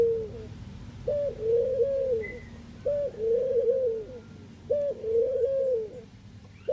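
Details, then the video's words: Eurasian collared dove, Netherlands, giving repeated three-part coos: a brief clipped opening note then a drawn-out falling coo, phrases spaced roughly every two seconds, with faint low-frequency hum beneath. "Ringneckdove cooing, Collared call, dove sound"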